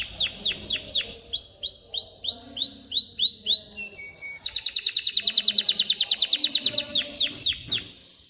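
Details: Canary male in full song to train chicks and prompt females to mate. The song runs through down-swept notes and rising slurred whistles, then a brief pause, a fast dense trill and a final series of downward sweeps.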